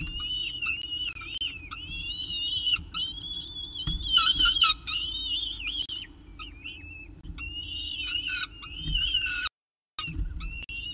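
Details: Evening meal at a peregrine falcon nest, CSU Orange, 18 October 2018 at 6:51 pm, recorded by nestcam: near-continuous high, drawn-out wailing calls with wavering pitch, in overlapping bursts, with a brief dropout and low rumble beneath.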